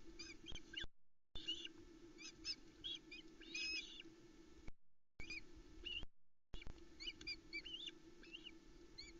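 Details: Hungry osprey family mobbing the male as he brings a third fish, a whole trout, to a Loch Arkaig nest in Scotland on a July evening: rapid bursts of high arched whistled chirps over a constant low hum with short gaps.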